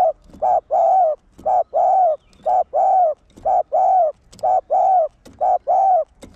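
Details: Spotted dove calling to rouse caged males: steady, rapid series of coo pairs, a short note then a longer rounded one, repeated roughly once per second without pause.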